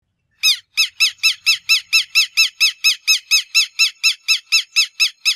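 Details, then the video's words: A Southern Lapwing (Vanellus chilensis) gives a rapid, steady series of harsh, strident notes, about three per second, each a loud screechy 'kek' with a falling tail. "O Canto do QUERO-QUERO (Vanellus Chilensis) - Bird Song - Southern Lapwing"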